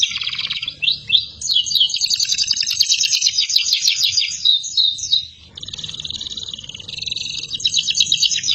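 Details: Canary singing in a long, lively stream for tutoring other birds and young canaries: dense rapid trills and rattling phrases, high-pitched and continuous, with a short pause before the run resumes.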